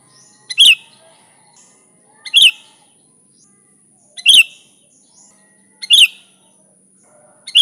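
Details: Vocal sooty-headed bulbul, an original recording without other birds mixed in, used for luring bulbuls, repeats short bright chirps with a soft lead-in note about every one and a half to two seconds, over a faint high whine.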